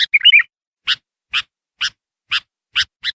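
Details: Sooty-headed bulbul in vigorous song, used as a lure to call wild bulbuls: a short bubbling, warbled phrase, then a steady series of sharp dry chip notes about every half second.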